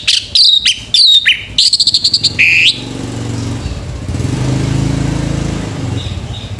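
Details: Morning song of a male orange-headed thrush: a fast, stuttering series of high whistles and buzzy trills, then a low mechanical drone fills the rest.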